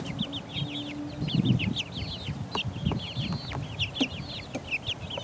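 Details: Four-week-old chicks pecking, peeping in quick runs of bright, downward-sliding notes, several birds overlapping, with pecking taps and rustle below.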